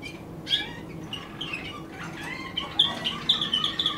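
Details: Waterslager canary singing: a loose run of short high chirps and brief slurred notes, growing louder and denser toward the end, with a faint low background hum.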